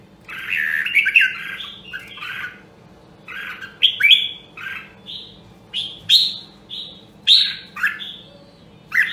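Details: Caged red-whiskered bulbul, Nam Dong, Hue, Vietnam, training its voice. A jumbled warble opens, then a series of separate short whistled notes and slurs at roughly one-second intervals. A faint hum lies beneath.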